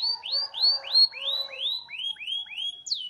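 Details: Kept canary from Petarukan, Pemalang in Central Java, giving a slower series of about ten clear rising-then-falling whistled notes, spaced evenly, ending in one sharp downward note.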